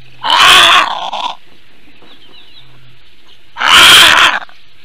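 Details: Latvian female Eurasian bittern reacting to an unidentified threat from the air, morning of 7 May 2022 at 9:25: two harsh, broad, hissing-croaking blasts about three seconds apart, the first trailing off in a brief rasp, over quiet background birdsong.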